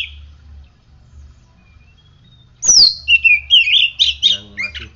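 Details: Kept oriental magpie-robin singing steadily after morning sunning and morning dew: a high sliding whistle opens a fast, continuous string of rich warbled and buzzy notes lasting about two seconds.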